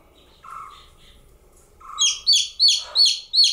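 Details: A single baby chicken chick calling: a few soft lower notes, then five loud, high, arched peeps about a third of a second apart, each sliding up and then down.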